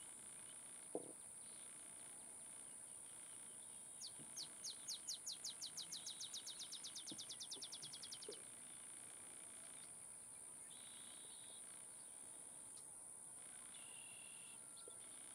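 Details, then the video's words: An olive sparrow (Arremonops rufivirgatus) sings a series of sharp chips that speed up into a rapid, bouncing trill at Laguna Atascosa National Wildlife Refuge, Los Fresnos, Texas, on 30 May 2015, over a steady insect hum with brief calls from other birds. "Olive Sparrow singing"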